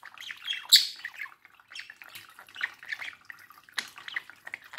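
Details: Pet budgerigar near its reflection, keeping up a soft continuous warble of scratchy chirps and clicks with a few sharper high notes, in a quiet room.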